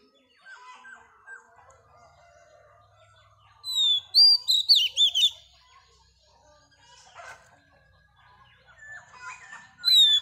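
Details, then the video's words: Female Oriental magpie-robin, a wild-caught bird, sings to excite males. A quiet, scratchy warble leads into a loud cluster of sharp, rapid whistled notes lasting about a second. Softer twittering follows, then another loud whistle begins at the end. "Choè than mái bổi lên giọng hót kích trống"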